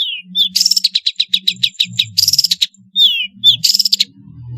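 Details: Long-tailed shrike singing a varied song meant to provoke lazy shrikes: descending whistled slurs and fast raspy chattering runs over a low steady hum.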